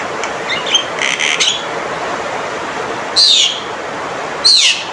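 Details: Male Javan myna calls: brief scratchy notes, then two loud descending whistled slurs a little over a second apart, over steady hissing background noise.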